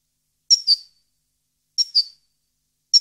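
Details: Parva goldfinch recorded in 2015 repeats crisp, high double-note chirps. Two full pairs come about a second apart, and a third starts at the end. The background is quiet.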